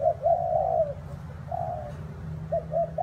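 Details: Spotted dove heard on a rainy, windy day. A long, wavering low coo, a second drawn-out coo, then quick short notes at the end, set against a persistent low rumble.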